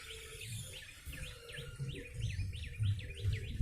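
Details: Yellow-bellied prinia notes for luring birds: a row of about nine clear swooping chirps growing louder toward the end, over broad hiss and low hum.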